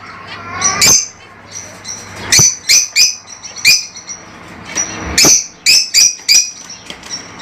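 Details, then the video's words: Lovebirds, small colourful parrots native to Africa, kept as pets: sharp high shrill chirps in scattered bursts, some in quick clusters of three or four, with quieter chattering between and a low steady hum beneath. "LoveBirds Sounds For 30 minutes"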